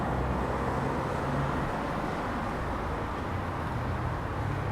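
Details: Steady roadway traffic rumble with passing cars, dense low-pitched engine noise and no animal calls.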